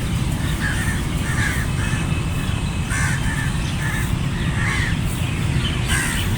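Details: A crow flock keeps up raspy cawing, single notes and tight doubles spread unevenly, with one louder burst midway, all over a continuous low background roar.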